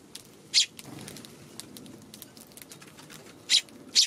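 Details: Eurasian tree sparrows feeding on a March 16 afternoon, wary of a Godzilla figure set by their food; three short, sharp chirps, one near the start and two close together at the end, over faint pattering.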